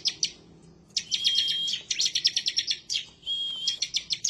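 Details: Ciblek semi bar-winged prinia singing emotionally toward a rival: dense volleys of sharp high chirps mixed with a steady thin whistle held under the chatter, in near-continuous bursts.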